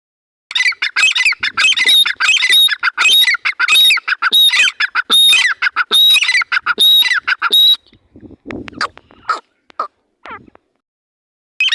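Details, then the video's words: Partridge pair, heard while checking whether a pair is present: rapid grating, squawky notes in bursts with a high thin whistle running through them for about seven seconds, then scattered softer notes and rustling. "teetar sound/teetar ki awaz"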